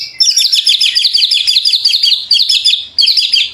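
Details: White-rumped shama singing energetically as a lure for other shamas; a fast, high, continuous twittering of short repeated notes in three bursts.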